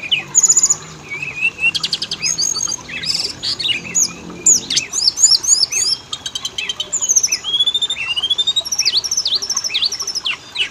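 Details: Oriental magpie-robin song used as a lure to make males and females start singing; a rich medley of high whistles, upward slurs, buzzy trills and rapid chirp series, delivered in quick bursts with brief pauses.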